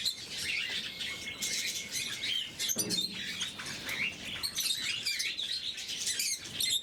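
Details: Blue-mutation lovebirds during their morning feeding, a flock trading piercing chirps and twitters, with a thin steady whistle early on and a brief knock near the middle.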